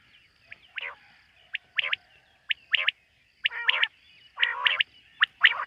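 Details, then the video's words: Quail calling at night, in a setting linked to quail hunting: scattered sharp chirps and a few rough, buzzy nasal notes, roughly one group per second, with a faint steady high hum behind. "Bater ki rat wali awaz ۔۔quail sound of night"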